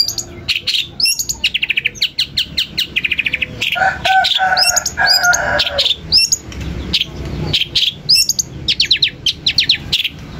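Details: Long-tailed shrike song for provoking rival shrikes to respond: fast rattling series of high chirps, loop-shaped whistled notes, and a harsher mid-pitched chattering passage around the middle.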